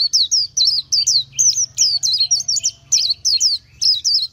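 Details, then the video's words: Oriental white-eye pouring out bright, high, quickly wavering whistled notes, about three per second, over a steady low hum in the background. "Chim hót hay Vành Khuyên họng vàng đông dương | นกแว่นตาขาวสีทอง| Oriental White-eye"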